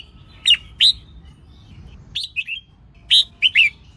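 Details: Red-whiskered bulbul female giving the 'hót ché' song meant to excite males and train their singing: two loud clear whistled notes, then a fast three-note slurred phrase, then another bright warbled group, all high and sweet against quiet surroundings.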